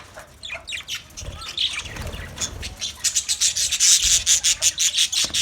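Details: Colony budgerigars: muffled rubbing and scattered chatter at first, then a quick run of sharp, evenly spaced chirps, about three per second, over the flock's buzzing twitter.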